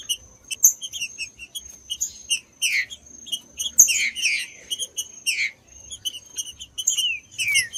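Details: Stimulating song of the green-winged saltator for tournament birds: sparse sharp chirps build into bursts of falling whistled notes around the middle and end, with a faint steady high whine behind.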